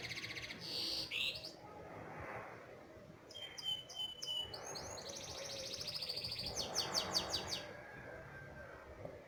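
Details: Canary song for teaching young canaries to sing: bursts of high chirps, buzzy rapid trills and clear whistled notes, separated by pauses, over a faint background hiss.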